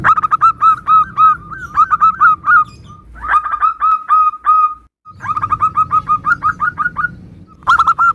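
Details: Zebra dove song meant to draw answers from other doves; varied phrases of hooked whistled coos, some drawn out and falling, others clipped and rapid, in several bursts with brief gaps.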